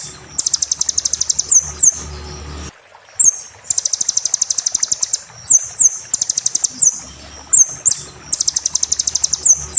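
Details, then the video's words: Sunbird song used to train caged birds: bursts of rapid, very high buzzy trills, each ending in a quick rising whistled slur, repeated after short pauses, with a faint low hum in places. "MASTER BURUNG KECIL KOLIBRI"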